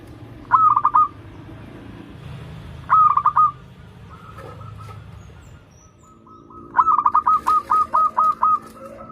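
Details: Local zebra dove in steady song, played for doves learning to sing: two short stuttered coo phrases, then a long run of evenly repeated clipped notes, with faint cooing underneath.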